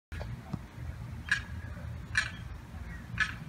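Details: Lost young limpkin separated from its mother and sibling by a fence, calling in distress on a July 4th morning; three short, harsh peeping cries spaced about a second apart over a low background hum.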